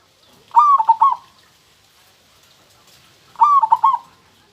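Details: Local zebra dove (perkutut) delivering two ringing song phrases about three seconds apart, each opening with a rising whistled coo and ending in a fast series of rolling coos.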